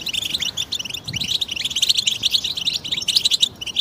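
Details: Chorus of European goldfinches used to prompt quiet males to sing, with mating and readiness calls; busy overlapping twitters and liquid chirps run without pause, several birds singing at once.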